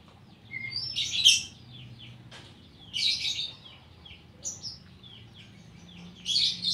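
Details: Oriental magpie-robin (kacer) giving 'isian koslet' song: three loud, scratchy, high-pitched bursts with short whistles, spaced a couple of seconds apart, over a low steady hum.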